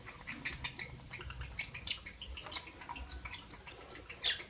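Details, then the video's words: Morning chatter of albino and Euwing green opaline lovebirds: scattered high, raspy chirps and squeaks, a loud sharp note midway and a cluster of bright chirps near the end. "Lovebird Chirping Sound Video - Albino & Euwing Green Opaline"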